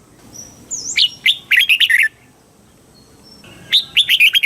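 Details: Red-whiskered bulbul in Thailand giving the southern master-style song for stimulating and teaching birds: a rising whistle leading into a rapid, rollicking string of musical notes, a pause, then another lively phrase begins.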